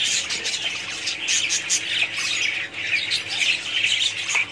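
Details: Budgerigars in a colony producing a continuous high chorus of squawks and chirps, with a slight dip in volume midway before the chatter swells again.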